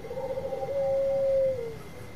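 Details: Bangkok-type zebra dove in a long call meant to provoke rival birds: a quiet wavering start, then a single smooth, steady coo held nearly a second and trailing off.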